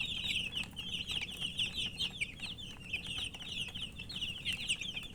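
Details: Colourful poultry chicks, thirsty for drinking water, keep up a loud, continuous chorus of high, rapid, wavering peeps from many birds together.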